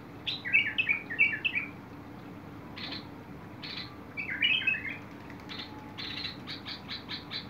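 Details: Bulbul singing on 21 August 2022: short bubbly warbled phrases of quick rising and falling notes, a run of four at the start and another burst after a pause, between short buzzy chip notes.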